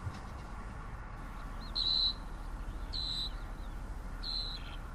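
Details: Song of a southern grey shrike, three clipped, buzzy high notes, each a short burst, repeated roughly every 1.2 seconds against constant low background rumble.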